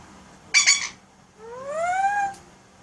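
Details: Alexandrine parakeet kept as a pet, one brief harsh burst followed by a smooth rising whistled tone, a sound effect imitation, in a quiet room.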